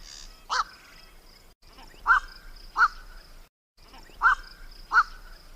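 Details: Harsh, raspy calls of a black-collared starling, used as a lure for trapping birds. Five loud cawing notes come in spaced pairs, with short silent breaks between the groups.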